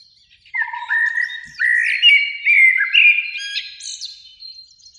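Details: Spring evening song of a Eurasian blackbird, one of two singing in a beech tree near a lake; a low steady whistle, then a run of rich fluted notes climbing into a thin high squeaky flourish.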